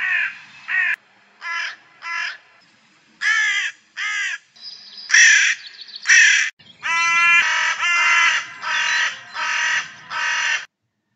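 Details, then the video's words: A UK carrion crow, a loud, vocal bird, gives harsh, hoarse caws, singly and in quick pairs and runs, about one each second, with rougher, more grating calls toward the end. "Crows can be loud and vocal."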